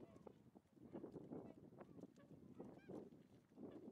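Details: Tundra swans on the western shore of Lake Biwa, Japan, 27 February 2020: a flock murmurs with soft, low honking and gabbling bursts, plus one brief higher nasal call near the end.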